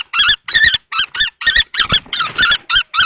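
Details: Common kestrel males clash over a nest box at Théding, France, on 20 March 2024, a juvenile-plumaged male against an adult male. Harsh, ragged, quavering notes come in an uneven burst, some doubled, closely spaced.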